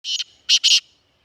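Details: Black francolin of the Sindhi "speeder" or chakri wala type calling: three loud harsh grating bursts, the first split, the last two run close together, in otherwise quiet surroundings.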